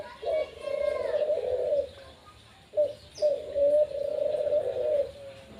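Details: A household Barbary dove (puter) in full song: a sustained, purring low coo, a pause, then short notes leading into another long rolling coo, with faint soft chirping in the background.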